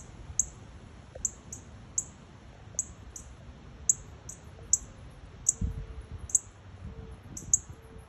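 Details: Northern cardinal nestlings in a nest right outside a house's front door, parents close by, calling loudly: short, thin, high chips repeated roughly every half second to second, with faint low background rumble.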